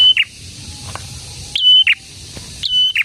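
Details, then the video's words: Prinia, locally called prenjak tamu or prenjak merah, singing vigorously; three loud phrases, each a sharp upward note into a steady high whistle ending in a lower buzzy note, spaced about 1.3 seconds apart over a quiet background. "BURUNG PRENJAK GACOR"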